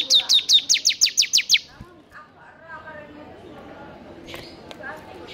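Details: Energetic, lively Bar-winged prinia song offered as tutor material: eight quick, sharp, downward-slurred chirps in a burst of about a second and a half, followed by soft background chatter.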